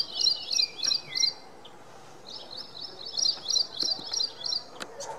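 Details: Ashy prinia singing a rapid run of sharp, high, squeaky chirps, about three per second, in two bursts separated by a short pause; recorded April 3, 2022.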